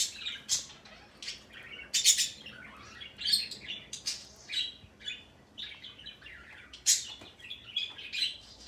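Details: Male parrot giving a long run of sharp, high chirps and squeaky tweets in uneven bursts, roughly 48 per minute, some notes short and clipped and others slightly drawn out, with no other clear sounds.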